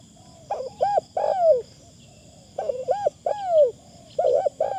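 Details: Spotted dove calling as a decoy bird: three coo phrases of short hoots and a long sliding coo, mellow and low, about every one and a half seconds, with a high steady hum behind.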